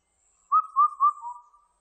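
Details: Indian cuckoo song recorded in 2020: one phrase of four clear whistled notes, three level and evenly spaced, the fourth slightly lower, with a faint high insect hiss in the background.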